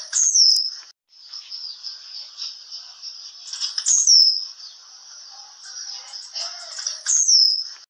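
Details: Blue-black grassquit song, one of several song types: a sharp, high, down-slurred buzzy note given about every three and a half seconds, with a steady high hiss and faint lower chirps between phrases.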